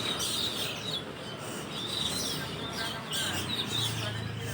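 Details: Asian glossy starlings calling from a leafy roosting tree where a large group spends the night, recorded in the morning just after dawn prayer; dense overlapping high chirps and short whistled notes, with a steady low background rumble.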